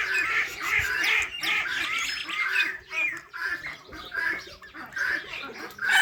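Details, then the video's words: Raspy overlapping parrot chirps and squawks in uneven bursts roughly once a second, several birds calling together. "Natural Parrot Chirping Sounds"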